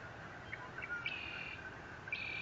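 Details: Eagle on a nest cam at Fort Saint Vrain, 30 April 2021, gives two high, drawn-out piping squeals a second apart, preceded by soft short chips, against a constant electrical hum.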